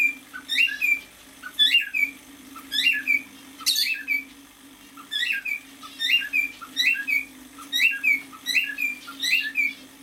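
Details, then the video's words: Half-year-old male cockatiel delivering a long run of repeated whistled phrases, each a short upswept note and a falling slur, steady at roughly one per second, with one louder sharp burst early on. "Песенка КОРЕЛЛЫ-НИМФЫ №1."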